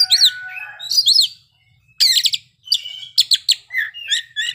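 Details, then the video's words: Oriental magpie-robin performing ngeplay song with isian fill-ins. Two sweeping chirp bursts are followed by a short silence, then a dense rattle and sharp clicks, with a few lower whistled notes at the end. "kacer ngeplay bongkar isian"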